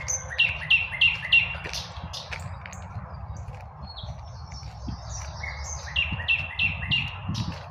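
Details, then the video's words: Spring birdsong at midday in a park: bright chirped notes repeated in quick runs of four, a pause, then another run, with other birds faintly behind and constant highway car noise underneath. "BIRDS SINGING- REJOICING IN SPPRING"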